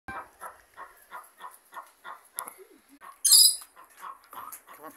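Rainbow lorikeet chatters in quick, rasping notes about three per second, then breaks into one loud, shrill screech; a thin steady hiss runs high overhead.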